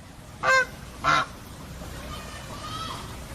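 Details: Two short, loud nasal honks from a goose half a second apart, followed by faint, distant calls over a soft background hiss.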